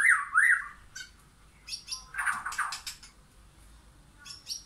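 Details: White-rumped shama, wild or caged, singing in a backyard forest: looping whistled phrases followed by a rich jumble of warbled notes and sharp high clicks, with quiet gaps between bursts.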